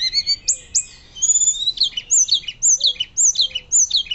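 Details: Fluting hill blue flycatcher song, loud and continuous, meant as a master for other birds: opening whistles, then a steady run of sharp falling notes, roughly two per second.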